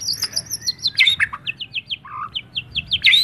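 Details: White-rumped shama singing in a fighting style: loud whistled phrases with high slurred notes, then quick runs of short rising chirps repeated about four or five times a second, and a brief low warble midway.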